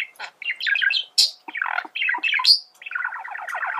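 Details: Male budgerigar in steady song: dense, fast chatter of scratchy chirps and squeaks with rising and falling notes, ending in a long rolling buzzy trill.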